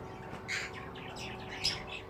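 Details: Wild green rose-ringed parakeets (ringnecks) during mating give a rapid series of harsh, chattering squawks, several per second, over a low steady background hum.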